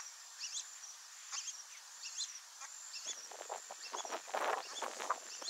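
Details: Brazilian teal, a pair with their ducklings, wild during breeding season; bright upward-sweeping peeps every second or so, then a jumble of louder, lower rustling and splashing sounds beneath a constant insect drone.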